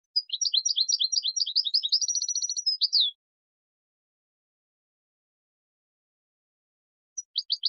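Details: European goldfinch song for training young birds: a run of quick, bright twittering notes that merges into a rapid buzzing trill for about three seconds, followed by silence and a brief restart of chirps at the end.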